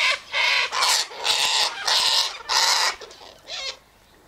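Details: Sulphur-crested cockatoos eating birdseed, sunflower seeds and wheat at an eastern gate; a run of six harsh, drawn-out screeches, nearly back to back, fading to quiet at the end.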